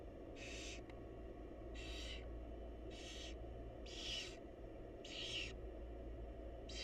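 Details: Barn owl, a mother with her babies: rasping, breathy screeches repeated about every second over a constant low background hum.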